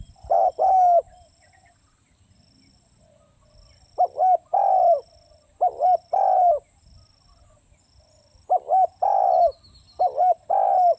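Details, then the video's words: Spotted dove calling in bursts: quick double coos followed by long falling coos, grouped in several phrases with pauses of a few seconds between bursts. "เสียงนกเขาใหญ่ นกเขาใหญ่"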